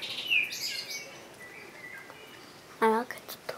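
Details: Common blackbird (Turdus merula) singing a fluty warble that slides into thin high twitters. A short human voice cuts in near the end.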